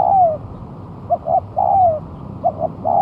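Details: Actively singing spotted dove, a month past its moult, used for luring: a falling drawn-out coo, then two short coos and another long descending one, followed by a further pair of short notes and a rising start.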